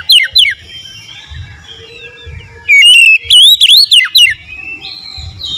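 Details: Oriental magpie-robin singing konslet-style: two brief downward-sliding whistles open, then after a pause a loud run of quick wavering whistled notes sweeping up and down, with soft low background rumble between phrases.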